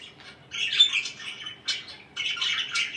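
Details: Pet budgerigar indoors giving three short bursts of scratchy squawking chatter separated by pauses.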